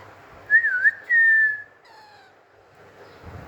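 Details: Alexandrine parakeet, a green pet talking parrot busy with its toys: a clear whistle that dips and rises, then a long flat whistled note, with softer fading echoes and some handling noise at the end.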